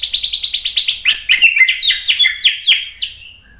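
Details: White-rumped shama singing agitatedly to provoke other males: a fast series of about a dozen evenly repeated sharp notes, speeding into a tumbling run of descending slurred phrases that fades at the end.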